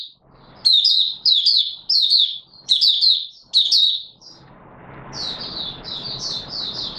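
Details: High, sweet twittering song of an Oriental white-eye, recorded 24 March 2022: five rapid chattering bursts, then a softer run of notes over steady hissing background noise.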